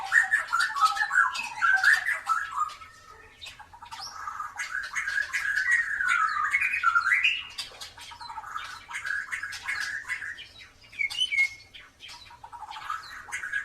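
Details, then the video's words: Continuous song of a white-rumped shama with a drooping tail, singing tirelessly to draw song from birds that rarely sing. Rich warbling whistles rise and fall over a long stretch, mixed with scratchy chatter and brief pauses. "MURAI BATU EKOR KLEWER GACOR COCOK BUAT PANCINGAN BURUNG YANG JARANG BUNYI"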